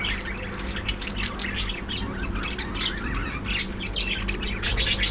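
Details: Dense, nonstop twittering of many budgerigars kept as a breeding colony in an aviary: overlapping squeaky chirps, warbles and short screechy notes throughout, backed by a faint steady hum.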